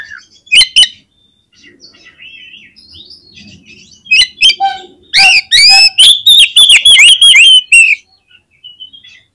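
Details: Oriental magpie-robin in full song, used as a lure to make other magpie-robins sing: scattered soft notes, then a loud rapid run of clear whistles and sharp rising and falling phrases, about three per second.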